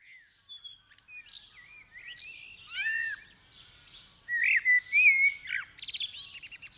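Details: Common blackbird singing in the dawn chorus as the sky begins to lighten, 8 December 2019, stereo recording: low fluted warbles that climb and fall, with high squeaky twitters and other birds chirping thinly above.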